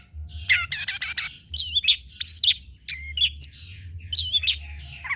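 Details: Long-tailed shrike song, used as a lure and tutor recording: rasping noisy bursts interleaved with looping whistles and sharp chirps.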